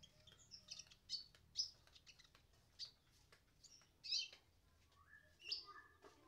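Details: Sunbird giving scattered high, sharp chirps and short twittering notes at irregular intervals, with a few lower whistled slurs toward the end over a faint low background hum.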